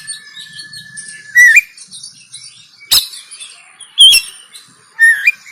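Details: Oriental magpie-robin fighting song from Banten, Android phone recording for training; a long steady whistle ending in a twisted rising note, a sharp crack, and wavering whistled phrases every second or so.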